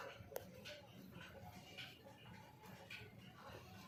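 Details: A talking parrot named Mithu mimics speech in a quiet run of short, voice-like syllables, with faint room noise behind.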